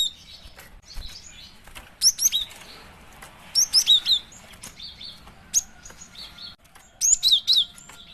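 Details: Female cinereous tit calling, recorded for use as a lure: clusters of thin, high, rapid chirps separated by short pauses, over steady background hiss, with fluttering and soft scattered ticks.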